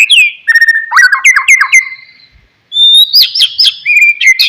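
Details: Oriental magpie-robin song meant to trigger a sulking bird into song: rapid buzzy chatter and trills, a brief pause, then bright high whistled slurs.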